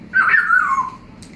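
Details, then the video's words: Pet African grey parrot indoors with its owner, giving a single clear whistled glide that starts high and slides steadily downward over about a second, followed by quiet room sound and a faint click. "African Grey Parrot is talking nonstop!"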